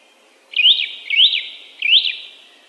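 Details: Song thrush song: a ringing up-and-down whistled motif delivered three times in a row, each a fraction of a second long, with clean pauses between repetitions.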